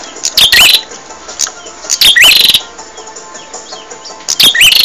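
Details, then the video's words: Bar-winged prinia, song meant for training caged birds: three loud phrases of rapid buzzing trills, each with a rising twisted whistle, spaced roughly two seconds apart. "Suara Burung Prenjak"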